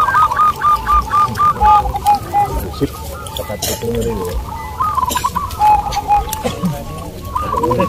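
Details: Zebra doves in a local contest at Bukit Mengger, Sindet, Trimulyo, Bantul, Yogyakarta, delivering rapid, evenly spaced series of soft coo notes with clear ringing tones, multiple birds overlapping and people talking nearby.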